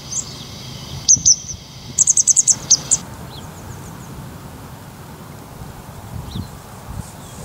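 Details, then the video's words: Grey wagtail in Salinas y Arenales de San Pedro del Pinatar Regional Park, Murcia, Spain, recorded on a Sony HDR-CX155E: sharp high metallic notes, a single pair then a rapid run of six ticks, over steady low background rumble. "Lavandera cascadeña (Motacilla cinerea) Grey Wagtail"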